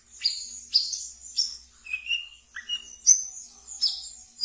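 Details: Ngeriwik song of a pet wiceh in a cage, used to train brown-throated sunbirds: quick high twittering chirps mixed with a few lower whistled notes, coming in a busy irregular run.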